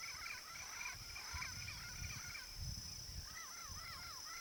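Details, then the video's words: Yellow-faced parrot of the Brazilian Cerrado giving rolling, chattering calls of short arched notes, a burst at the start and a quicker run near the end, with low rumbling background noise throughout. "PAPAGAIO-GALEGO canto (ALIPIOPSITTA XANTHOPS), YELLOW-FACED PARROT"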